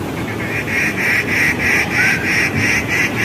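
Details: Rufous treepie, also called Indian treepie, a new visitor to a fig tree. It gives a rapid series of harsh, nasal notes, about three per second, over steady background noise.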